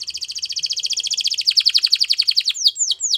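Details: Belgian canary delivering a long, fast, pulsing trill of high notes that grows slightly more emphatic, ending with a few separate down-slurred whistles.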